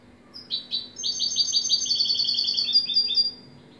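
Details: A goldfinch opens with a few separate high notes, then pours out a fast, bubbling stream of tinkling, repeated twitters lasting about two seconds.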